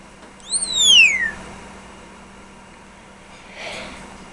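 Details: A 20-year-old female African grey parrot (Congo) with red tail, a talking bird, gives one loud, clear whistle that rises briefly, then slides steeply down, and a soft rustle follows in a quiet room; recorded February 13, 2013.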